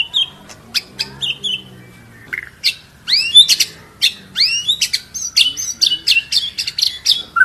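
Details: White-rumped shama lure song for training birds to sing persistently: scattered chips and clicks, then swooping whistles and crowded high notes.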